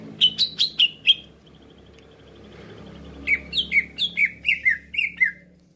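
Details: Cucak ijo call played as a trapping lure: five sharp high chirps, a pause, then about nine downslurred whistles repeated every fifth of a second, over a faint hum.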